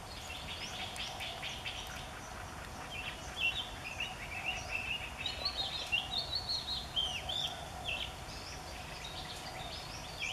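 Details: Oriental magpie-robin (Copsychus saularis) singing a love song on 8 February 2014 at the nature study centre of Mahasarakham University, Thailand: a varied run of clear, sweet whistled phrases, rising and falling, over soft chirps and a steady low hum.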